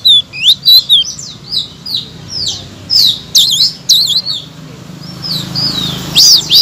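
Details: High chattering song of a blue-crowned laughingthrush, a master song meant to make other birds sing: sharp slurred whistles in irregular bursts, a quieter gap, then loud notes again.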